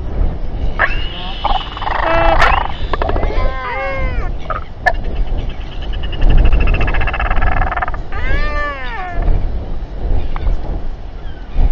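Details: Royal albatrosses during a tense group party and fight, New Zealand, 7:42 pm, 27 January 2021: strident nasal cries, clusters of quick arched warbling notes and a long buzzy bray, set against heavy wind.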